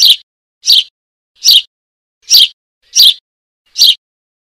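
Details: Eurasian tree sparrow chick calling to its mother: six short, shrill chirps, each slightly buzzy, spaced about 0.7 seconds apart in an even series, with nothing else audible.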